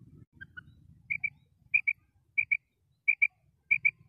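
A female common quail gives soft, high paired notes, two quick clipped 'quip-quip' calls repeated about every two-thirds of a second, over a faint low rumble.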